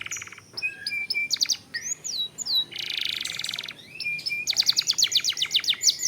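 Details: Canary lure song meant to quickly stir other canaries to sing: scattered high whistled slurs, a dense buzzy rattle near the middle, then a fast run of repeated sharp chips to close.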